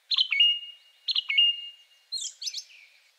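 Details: Second male song thrush in very simple song with a few unusual sounds: the same sharp, buzzy phrase ending in a drawn-out whistle given twice about a second apart, followed by higher scratchy notes.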